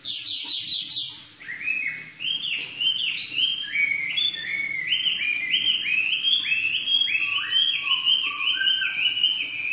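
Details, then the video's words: Chinese hwamei, a songbird from southern China, singing: a fast series of bright, repeated rising whistled phrases, high and rich, over a steady background hiss. "Kicau Burung Hwamei Wambi Gacor"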